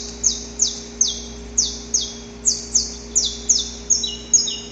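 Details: Male saffron finch recorded in nature, singing before dawn while courting a female: a run of about eleven loud, sharp high notes, each sweeping downward, delivered every half second or so, with a faint steady low hum behind.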